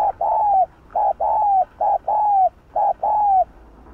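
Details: Spotted dove in the 'hạp bổi' voice delivers a fast run of hooting coos. Brief notes alternate with longer, slightly falling ones, roughly two per second, with no other sounds.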